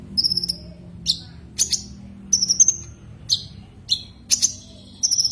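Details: Common iora challenging a rival with short high whistled notes, each falling slightly, given singly or in small clusters with gaps of about half a second to a second; a faint low hum sits underneath.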